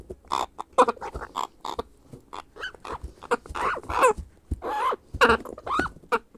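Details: Hand-fed grey parrot hatchling begging for food, giving dense, raspy chattering squeaks in quick irregular bursts, some louder nasal squawks near the end of the feeding sequence.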